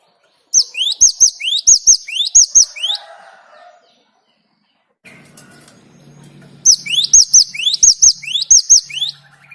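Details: Singing Great tit used as a lure for other birds: bright fast sweeping whistles in repeated two-part phrases, two bursts with a low rumbling hum and some faint broadband noise in the pause between them.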